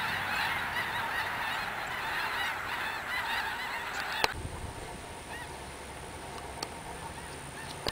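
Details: Overflying snow geese and blue geese at Roberts Cove, Louisiana, late December 2011: a busy clamor of yelping honks that fades after four seconds to a few distant calls, with a sharp knock and background hiss.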